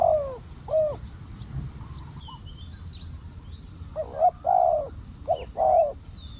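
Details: Decoy spotted dove drawing in a fierce wild dove, giving bursts of low, throaty coos in paired and tripled notes, while thin high whistles of other small birds sound in the background.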